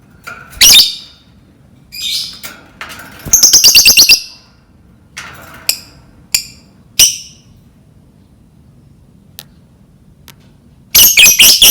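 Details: Lovebird song meant to lure other lovebirds into singing: irregular shrill, piercing chirps and squeaks, a quick rattling series in the middle, scattered single notes, and a rapid final burst.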